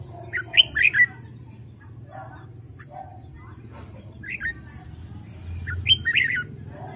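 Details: During competitive-song training of a red-whiskered bulbul, several short warbled phrases of rising-falling whistles occur, with many thin high chirps from other birds throughout and a low steady hum.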